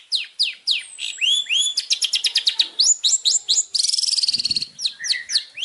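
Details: Long-tailed shrike master song for training contest birds: varied sequence opening with sharp downslurred whistles, then quick rising notes, a rapid buzzy trill near the end and a few final slurred chips.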